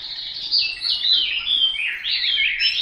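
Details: Short burst of Hwamei song: fluid, looping whistles sliding up and down, loud and clear throughout.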